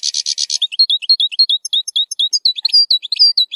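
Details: Zilzal-style song of a European goldfinch, meant for tutoring young goldfinches and rich in strong rolls. A short buzzy rattle opens, followed by a fast series of clear, repeated upslurred chirps and tinkling twitters.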